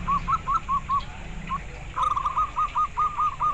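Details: Local zebra dove in steady song: quick runs of soft, rolling coo notes, a short pause, then a faster, denser series. A low background rumble runs underneath.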